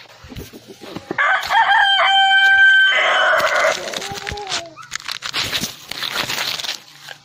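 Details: Cock crowing loudly for about three seconds, a rasping held note that drops in pitch at the end, followed by scattered clucks and rustling noise.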